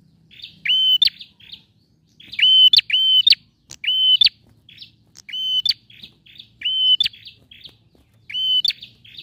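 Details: Male bar-winged prinia singing loudly, used to prompt a silent bird to sing: repeated phrases of a sharp rising note, a steady high whistle and an explosive click, followed by soft buzzy notes, about every one and a half seconds.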